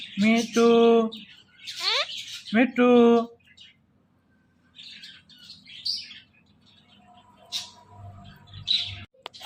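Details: A pet parrot speaks in a run of loud, voice-like syllables, some rising and falling, clustered in the first few seconds. Fainter high chirps and quiet murmuring follow.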